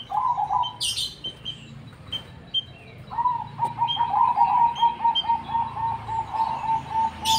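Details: Cemani zebra dove singing actively: after scattered high chirps from other small birds, a long run of rapid, evenly spaced low cooing notes rolls on for about four seconds, ending in a slightly rougher trill.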